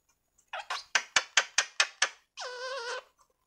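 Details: Talking parrot from Assam, India, giving a series of eight quick, harsh, descending squawks followed by one longer, rasping, wavering call, in an otherwise quiet setting.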